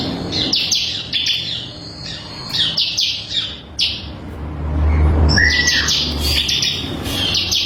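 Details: A crystal-variety bar-winged prinia, recorded as a tutor song, gives clusters of high chirps, then a clear lower whistled note followed by more shrill chirping, over a low background hum.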